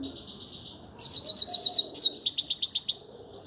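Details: A grey-crowned goldfinch opens with a faint thin note, then breaks into a loud, fast trill of high, liquid twittering notes, about ten per second, lasting roughly two seconds.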